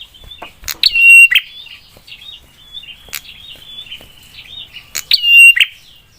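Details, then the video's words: Prinia in sharp, fiery song meant to provoke other prinias: two loud crackling phrases with a steady whistled note, several seconds apart, separated by quieter thin chirps. "Prenjak suara PEDAS bikin prenjak lain cepat nyaut dan emosi"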